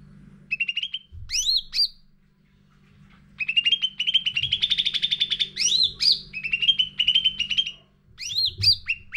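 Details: Sooty-headed bulbul singing energetically, used to coax caged birds into song. Clusters of rapid high chirps mix with loud rising whistled swoops. A long dense chattering run fills the middle, with brief silent gaps between phrases.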